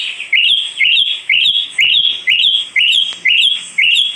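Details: Asian pied starling being sold, repeating one loud phrase about twice per second: a short rising chirp that runs into a bright, slightly harsh whistled note, with brief gaps between phrases.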